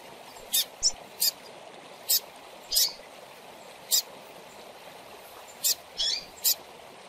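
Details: Double-collared seedeater nestling, used to stimulate caged birds, repeats sharp high chirps at irregular intervals, occasionally paired or followed by a softer slurred note, against persistent hiss.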